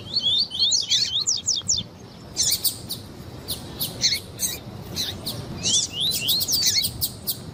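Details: Song of the double-collared seedeater with female calls, used to excite other males: quick descending whistled slurs, then a long stretch of sharp buzzy chips in clusters, with rising whistles returning near the end.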